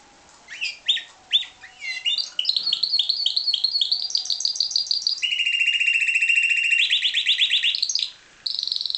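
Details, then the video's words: Parti-coloured Timbrado canary, a bred cage bird, singing a rapid song: opening chirps, then long trills of fast repeated notes, shifting to a lower rolling trill and back up to high notes, steady and loud. "Timbrado canary"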